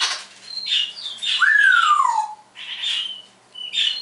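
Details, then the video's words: Pet parrot in a cheerful morning mood, copying electronic sound effects and talk: squeaky chirps, then a long clear whistle sliding smoothly downward, followed by grating squawks and short bright whistled notes. "Noah Does Sound Effects"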